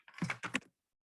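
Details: Short-eared owl (Asio flammeus) giving a harsh, raspy two-part call like an angry little kitten, then falling silent; in Ohio it is mainly a winter visitor, at the edge of its year-round range.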